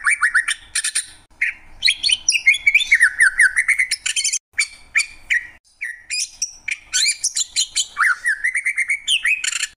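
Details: Greater green leafbird pours out a dense, chattering song of scratchy bursts, slurred whistles and rapid mimic-like phrases, almost continuous.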